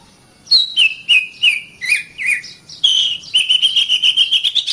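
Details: Oriental magpie-robin (kacer) master song, meant for training caged songbirds: clear, loud whistled phrases that slide down, then a fast run of about ten sharp repeated notes that rise slightly at the end.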